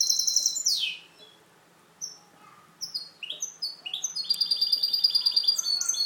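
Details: Clean-song (canto limpio) from a caged goldfinch hybrid: a sweeping high note opens, a brief pause follows, then scattered sharp chirps build into a long, rapid, evenly repeated trill.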